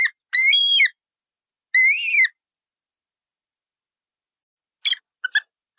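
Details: Colourful parrot making two loud, grating squawks early on, then after a long pause a few short, clipped chirps and scratchy notes.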